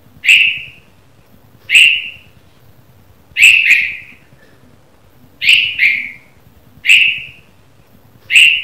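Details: In the morning, a red-vented bulbul gives bright, short chirps about every second and a half, sometimes in quick pairs, against a quiet background.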